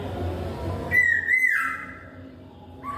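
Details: Singing laughingthrush gives a pure whistled note that wavers and slides downward, then falls quiet before a lower whistle begins, over light room noise.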